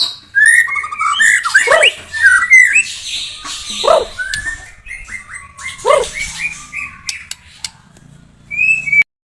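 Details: Murai batu blorok (White-rumped Shama) delivering a long, varied song of looping whistles, trills and rising slurs, broken by several lower rasping notes, ending after a short pause with one high whistle.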